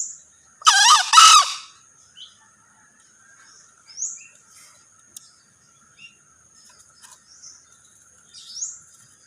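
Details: Green junglefowl male crowing once: a brief, coarse two-syllable call, loud and cracked. Afterward come sparse, faint high chirps and whistles from small birds and an occasional click.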